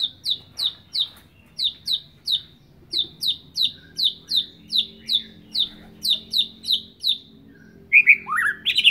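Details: Young white-rumped shama from Sabang still learning its song, repeating a sharp downslurred chirp about three times a second for several seconds, then breaking into brief rising whistles at the end.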